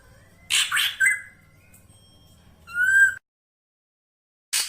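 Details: Black drongo lure call: two harsh, broadband scratchy bursts followed by a thin whistled note, then a second rasping note ending in a clear rising whistle, with a low hum underneath.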